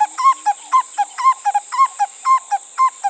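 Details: Male and female Black-collared Barbets in their famous 'two puddly' duet, the male calling and the female answering; bouncy paired notes, one ringing and one lower, alternate briskly about twice a second over a constant high hiss.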